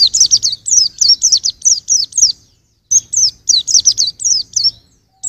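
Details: Rapid high-pitched white-eye song for training songbirds, two long strings of quick downward-sweeping twitter notes separated by a short pause.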